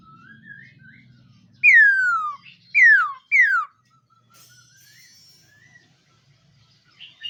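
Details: Three strong whistled notes sliding steeply downward come from a black-throated laughingthrush in morning voice training, with soft rising whistles before them and faint low hum behind.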